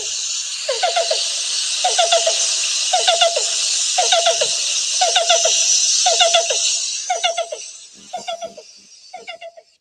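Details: Black-billed Cuckoo call, Upstate New York: soft, hollow cu-cu-cu notes in quick groups of three or four, about once a second, in more rapid succession than Yellow-billed Cuckoo, over steady background hiss.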